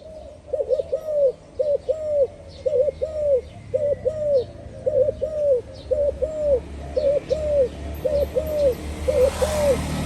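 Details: Spotted dove cooing steadily, a low two-part hooting phrase repeated about ten times in ten seconds, with faint high chirps of other birds and a rumble of passing traffic toward the end.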